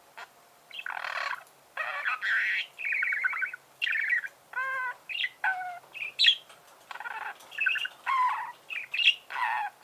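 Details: Budgerigar song made of many short, varied chirps, nasal squeaks and buzzy warbles delivered in quick succession, with creaky notes.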